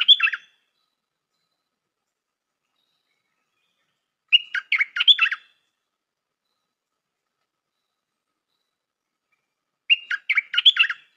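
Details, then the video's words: Decoy stripe-throated bulbul song of short, bright, bubbling phrases, each under a second, sung three times at intervals of roughly five seconds with silence between and no other sounds. "เสียงนกดอกแตงEp.135 จ้าวขันทอง นกต่อใหม่เปิดดอกน่าฟัง สำนวนดี Suara pikat merbah lekir"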